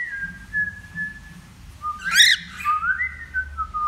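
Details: Young male cockatiel learning to sing: long, level whistled notes, then a short harsh, buzzy burst, followed by a rising and then falling whistle and a final steady note; faint low hum underneath.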